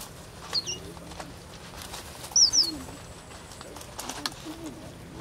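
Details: Wild red avadavat giving short high thin calls: a brief downward chip near half a second, a louder doubled sharp note around two and a half seconds, and faint chips near four seconds, over a quiet background hiss.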